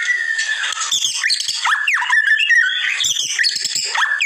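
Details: Shama masteran training material. Continuous busy birdsong of buzzy squawks and sharp falling and rising whistles, crowded together with short gaps, loud throughout over a high hiss.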